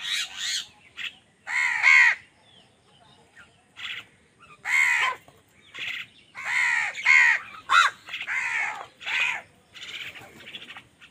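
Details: Angry crows fighting with other birds over food: loud, harsh, nasal caws in bursts of two or three, separated by short pauses, with fainter background calls.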